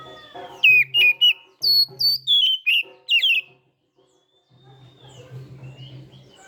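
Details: Oriental magpie-robin, a kept bird, singing loudly in the morning after its dew bathing: a fast string of sharp, high, down-slurred whistled notes, about eight in three seconds, then a pause with only a low hum.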